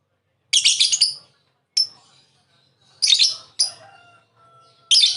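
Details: A lovebird calling to draw another into ngekek chatter. It gives grating, high-pitched squawks in bursts of about half a second. Softer trailing notes fill the pauses.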